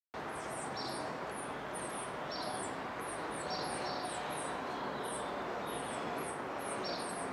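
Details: Swallow-tailed hummingbird, an adult with its chick, giving thin, very high chips, some doubled, repeated about every half second over a steady hiss of background noise.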